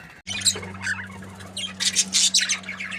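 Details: Australian budgerigars, a happy breeding pair, give short harsh squawks and quick high chirps in uneven bursts, growing busier toward the end, over a steady low electrical hum.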